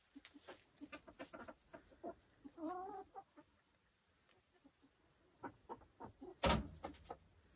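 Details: Silkie chickens kept on a Vermont farm, short clucks with a brief warbling harmonic call, a quiet pause, then more clucks and a loud sharp knock.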